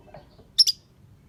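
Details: Lovebird, kept as a pet and described as pretty and clever at singing, giving two sharp, high, piercing chirps in quick succession over a faint low background hum.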